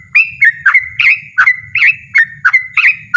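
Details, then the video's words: Yellow-vented bulbul pouring out a loud, persistent 'ropel' song: quick, bubbly, slurred notes tumbling out about three per second over a soft low hum. "burung trucukan ropel ngotot suara lantang"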